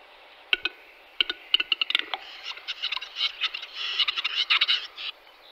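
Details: Western capercaillie recorded in March 2022: single dry clicks that quicken into a rapid knocking series, then a rush of harsh, scratchy, grinding notes for about three seconds before stopping.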